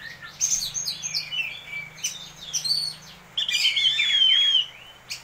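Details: Oriental magpie-robin kept as a champion contest bird, singing in its daily routine. Rapid scratchy chips give way to one long, clear, wavering whistle, over a faint low hum.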